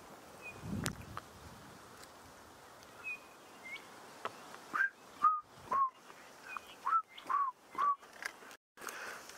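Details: Chinspot batis calling in the distance in a thickly treed drainage line on a sunrise drive, 25 November 2016. Clear, pure whistles step down in pitch about two a second, with faint birds and scuffing footsteps behind.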